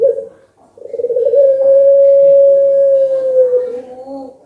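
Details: Puter pelung collared dove, a contest-quality bird, answering a lure recording with its drawn-out anggungan call: a short opening note, a pause, then one steady, even coo held for about three seconds before fading.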